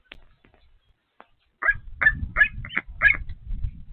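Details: Osprey at Patuxent River Park Nest 1 while feeding: five sharp, slightly buzzy chirps in quick succession over low rustling and thumping, after a few faint clicks.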